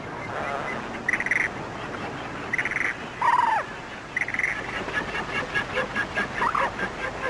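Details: Andean flamingos in flight give short nasal honks, about one every one to two seconds, plus a drawn-out falling call, over a steady rushing background.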